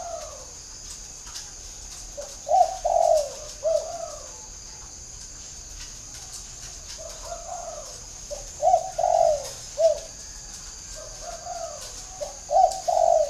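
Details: Decoy spotted dove with a whistle-like voice, cooing in repeated phrases of two or three smooth, hollow notes, separated by pauses of several seconds, with steady background hiss.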